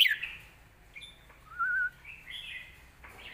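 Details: Red-whiskered bulbul song in the southern Thai competition style, meant for training young birds: a high slurred opening note followed by a clear, steady whistled phrase and softer trailing notes.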